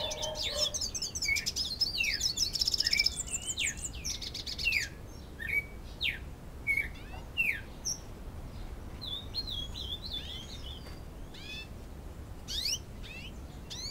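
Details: Two-year-old captive-born hooded siskin singing while courting a female canary in Canoas, Rio Grande do Sul; dense rapid trills and twitters at first, then scattered short chirps and whistled notes separated by brief pauses.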